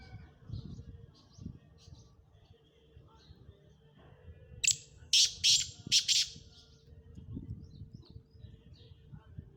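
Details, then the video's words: Black francolin (kala teetar) giving a harsh, grating call: five loud rasping bursts packed into about a second and a half, midway through, over a steady low hum and faint background noise. "کالا تیتر کی آواز ویڈیو black Francolin voice"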